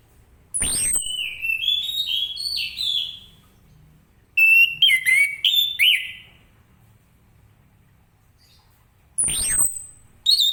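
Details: Orange-headed thrush with ngeplong-style morning song to get other birds answering; warbled whistled phrases in two bursts, with separate sharp high sweeping sounds at the start and near the end.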